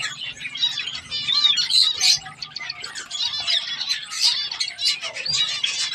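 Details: Baby zebra finches learning to feed themselves keep up a busy chatter of short, nasal, high-pitched chirps and tweets.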